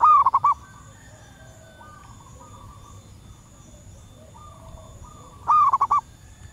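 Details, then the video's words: Female zebra dove in the wild calling to males, a lure call: two short phrases five seconds apart, each a long note and rapid short coos, with fainter answering doves calling in between. "Suara perkutut alam liar pikat burung sekampung nyaut penuh emosi"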